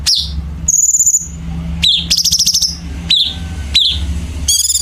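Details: Chinese bulbul singing a sharp, dense competition-training song: short piercing chirps, a sustained high whistle, and fast buzzy trills repeated in bursts, with a steady low hum behind.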